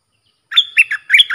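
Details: Sooty-headed Bulbul singing a training song for young birds: after a silent start, a clear burst of bright warbled notes rises and falls, with a faint thin whistle above.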